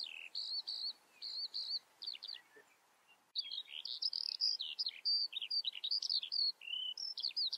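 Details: Eurasian skylark singing a rapid, unbroken stream of high chirps, trills and short whistled slurs, with a brief pause near the middle before the varied warbling resumes even denser.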